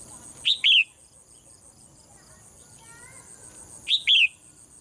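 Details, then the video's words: A caged female bird sings on a morning, two crisp paired chirps roughly three and a half seconds apart, the second note of each drawn out and dropping; quiet background with a constant thin hum. "เสียงนกร้องเจี๊ยก ๆ ไพเราะมาก"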